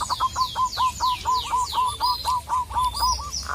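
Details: Local zebra dove calling a rival: a regular run of about fifteen short hooked coos, roughly two per second. A second bird gives high, downward-sliding whistles above it.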